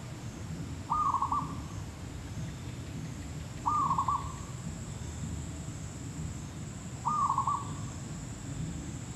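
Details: Zebra dove (perkutut lokal, merbuk kampung) recorded during bird trapping: three brief bubbling coo phrases of rapid stuttered notes, repeated about every two and a half seconds, with constant low rumble and a faint high-pitched tone.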